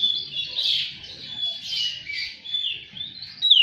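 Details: Kacer, or magpie-robin, giving a lure song intended to start a kept bird singing and spreading its tail: dense buzzy warbling over a steady high whistle, closing with a sharp rising note.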